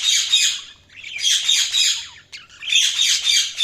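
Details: Budgerigars chirping in dense, loud bursts of harsh, buzzy high chatter, three long phrases with brief pauses between.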